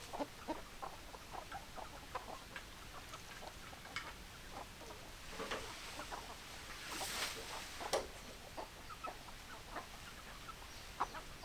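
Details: A flock of chickens gives soft, overlapping clucks throughout, low and choppy. A brief rushing, hissing noise rises midway, and no crowing is heard.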